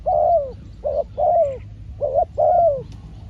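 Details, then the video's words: Spotted dove calling as a trapping decoy; rich mellow coos in short-long pairs, the long notes falling slightly at the end, five notes in about three seconds against a low steady background. "ต่อนกเขาใหญ่ พานกฝึก เจ้าอันาดามัน ออกฝึกเก็บเชลยแต้มแรกกได้สำเร็จเชลยเสียงเล็กคูดี"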